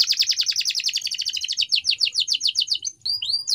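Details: Canary training song with a long, rapid trill of short descending notes that slows toward the end, a brief pause, then two high rising whistles, against faint low background noise.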